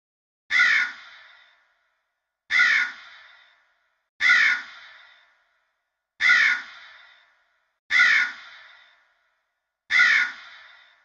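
A crow gives six harsh, hoarse caws, each cut off abruptly, spaced about two seconds apart against silence.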